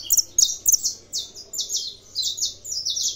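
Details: A kept saffron finch in Brazil sings a rushed series of high, slurred chirps, the notes smearing into a steady rhythmic chatter of about three bursts a second.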